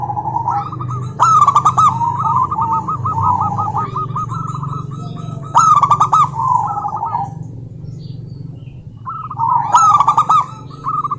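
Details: Calling female zebra dove, local type, addressing a rival: three bouts of loud clicking notes, each followed by a long rolling trilled coo, spaced about four seconds apart over a low droning hum.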